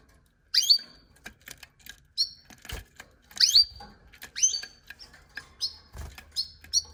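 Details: Canary giving sharp, high chirps that sweep downward, in uneven bursts mixed with clicks and light tapping.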